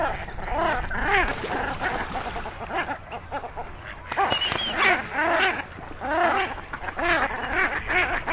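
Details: Common shelduck; calls; squabbling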